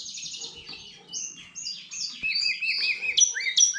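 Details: Goldfinch x canary hybrid twittering a varied sequence of high buzzy chirps and short upslurred and level whistles, growing louder toward the end over a faint low hum.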